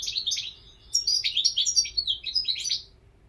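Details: Lively song of a European goldfinch: rapid, jangling twitters and chirps, with a brief pause after the first notes before a continuous tinkling stream. The room is otherwise quiet.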